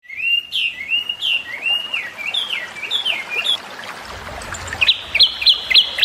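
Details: Chinese hwamei song, a loud, busy bird, in whistled phrases of repeated up-and-down slurred notes, shifting to a higher series of sharp repeated notes near the end; faint trickling in the background.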